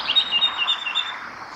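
Song Thrush singing a quick run of bright, high whistled and chirping notes, several per second, over a faint background hiss.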